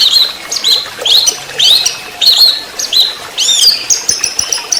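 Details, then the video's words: Orange-headed thrush in trotol song style, a master recording used to lure songbirds into singing: loud, high whistled notes and rapid chattering phrases, repeated in short bursts about every half second. "Pancingan Masteran Anis merah TROTOL"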